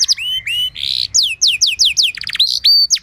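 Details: Canary song in short separate notes: whistled slides, a buzzy burst, quick downward sweeps and a steady high whistle, all loud and close.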